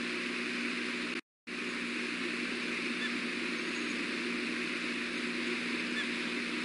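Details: Constant broadband hiss and rushing noise with a brief dropout to silence, and no animal call.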